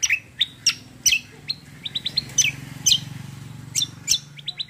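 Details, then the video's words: Lively cucak kombo kecial kombo song: sharp descending chirps mixed with quick triple trills of high notes, repeated through the phrase, over a low steady background hum. "CUCAK KOMBO KECIAL KOMBO ROLL TEMBAK GACOR COR"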